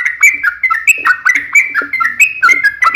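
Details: Chatty sooty-headed bulbul giving a long rapid song meant to provoke others into answering: quick bubbly whistled notes in uneven bursts, some sliding upward, with faint low background hum.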